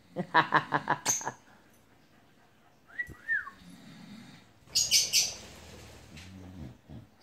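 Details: A macaw being naughty and wanting to eat the sofa gives a quick run of six or seven harsh, rasping squawks, then a short rising-and-falling whistle and a burst of loud raucous screeches; people talk softly nearby.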